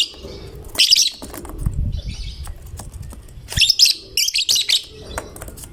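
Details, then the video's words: Fighter lovebird in full 'gacor' singing form, meant to coax other lovebirds into song; scratchy high chatter bursts, one early and a cluster of several quick bursts later, over low rumbling noise. "Lovebird GACOR Fighternya Memancing LB manapun Ikut Bunyi"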